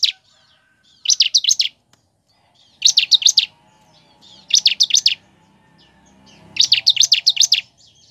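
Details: A Bar-winged Prinia, used as a lure recording to get other prinias singing, sings bursts of rapid, high, scratchy chirping notes, each burst under a second long and repeated about every two seconds.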